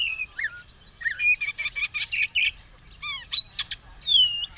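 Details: White-rumped shama, caged, tail spread and ready to fight, mixing clear whistles with buzzy rattling bursts and a bright rising whistle.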